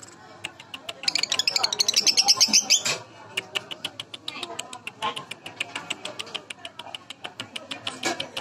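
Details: Young lovebird used as a lure: a dense burst of high twittering chirps, then a long steady series of sharp ticking notes, about three per second.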